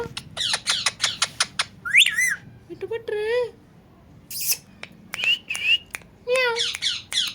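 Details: Talking parrot, also described as dancing. A run of sharp clicks gives way to warbling whistled phrases, a low wavering whistle and rising squeaky notes, then more clicks and short whistles over a faint low hum.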